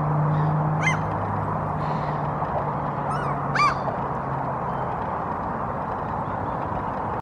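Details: Common Gull (Larus canus) standing on a rock in Helsinki, Finland, in April 2022, preening and calling: two brief, high, squealing calls about three seconds apart over a steady roar of wind and surf.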